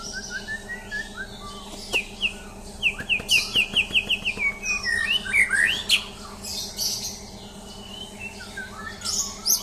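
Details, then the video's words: White-rumped shama, a champion bird, during a mental test. It opens with a rapid run of evenly spaced sharp notes, then fluty whistles and high chattering flourishes, all over a faint continuous electrical hum. "Tes Mental Murai Batu Juara"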